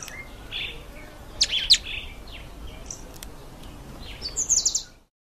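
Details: Northern red bishops, male and female, give high, thin chirps and short buzzy, sizzling bursts, scattered over a few seconds with a louder rattling flurry at the end.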